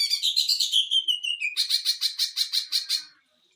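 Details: Greater green leafbird 'sewing machine' song meant to train and provoke other birds: a high chattering run slides down into a short whistle, followed by a brisk series of repeated buzzy high notes, about three per second.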